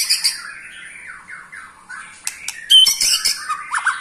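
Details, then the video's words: White-rumped shama of Pastol type, eight months old, ketrekan to provoke other shamas: squawky slurred notes building to harsh rattling bursts and a sharp whistle. "KETREKAN Pastol 8 bulan Bikin EMOSI murai Lain"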